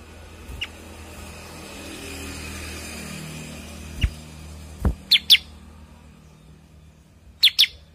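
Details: Cucak kurincang bulbul, a bird also named kutilingang sutra or kuniran, uttering a single faint chirp, then two clear high paired notes, later another crisp pair, with soft background hum and a couple of dull knocks.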